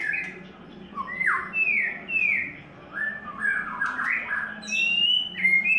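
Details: Clear whistled phrases from a white-rumped shama in its third molt, with downward-sliding notes repeated in sequence and then higher level whistles, in a quiet room.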